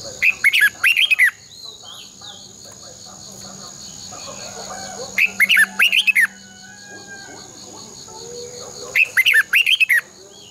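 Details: Caged red-whiskered bulbul singing a long, twisting double-voiced song used as a decoy for training birds: bright warbled bursts of rapid notes recurring about every four seconds, over a steady high electronic hum.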